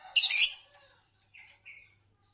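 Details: Green Fischer's lovebird chirping: one loud, harsh, noisy burst, then two short, thin, level chirps about a quarter-second apart. A quiet background otherwise.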